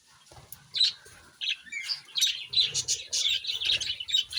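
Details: Pet parrots start quietly, then build into lively high chirping and squeaky chatter, with repeated sharp notes in quick succession and soft low background noise.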